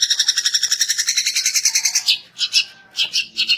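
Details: Long-tailed shrike of the Daput type singing to provoke other shrikes into singing: a two-second run of fast, evenly pulsed high chattering notes, then separate loud sharp pairs of notes.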